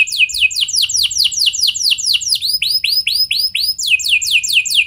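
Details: Singing canary used as a lure to get other canaries going: repeated loud descending whistled sweeps, then a run of rising-falling notes, then a return to quick falling sweeps.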